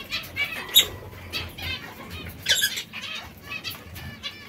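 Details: Zebra finches pecking at seeds and fresh salad give short nasal, harmonic call notes scattered irregularly, a few louder chirps standing out, over a low steady hum.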